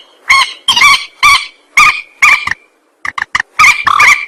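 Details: Rail recording used as a lure for trapping and hunting. Loud, harsh, nasal calls with stacked harmonics come in bursts, about seven notes over four seconds. After a brief pause, a quicker run of short clipped notes follows.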